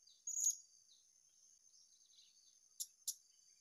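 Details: Blue-crowned hanging parrot in the wild, sought out at a new location, giving one sharp, very high shrill note, then two quick thin clipped notes close together near the end, over a constant high-pitched insect drone.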